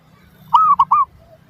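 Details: Zebra dove song used as a lure to draw a response from other doves: one short burst of three arched, slurred cooing notes, the first longest, over a faint low background hum.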